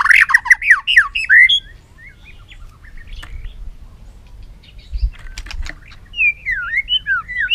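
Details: White-rumped shama in voice-training song: a dense burst of warbled whistles at the start, sparse clicks and soft notes in the middle, and a closing string of bright, wavering whistled phrases.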